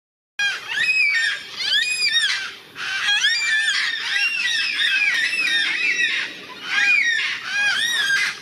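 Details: A large flock of yellow-tailed black cockatoos on the North Coast of New South Wales, Australia, gives loud, wailing, drawn-out screeches, many birds calling over one another in a nearly continuous chorus.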